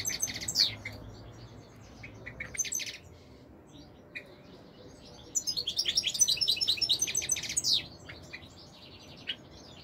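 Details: European goldfinch with scattered twittery notes at first, then a lively two-second burst of fast, tinkling high song phrases, against a faint low hum.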